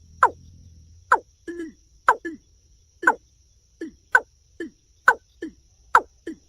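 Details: Watercock uttering sharp descending clucks, many followed by a softer, lower second note. A low hum sounds briefly at the start.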